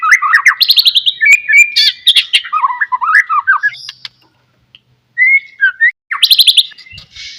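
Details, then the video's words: Song of a white-rumped shama used to draw replies from other shamas: fast rattling trills and looping warbled whistles, a quiet gap, then short whistles and another rapid trill. "DENGAR KICAUAN MURAI GACOR INI"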